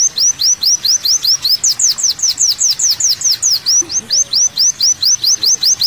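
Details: A sunbird's shrill song, olive-backed sunbird: evenly spaced rising whistled notes, about two and a half per second, with a brief faster stretch of higher notes in the middle.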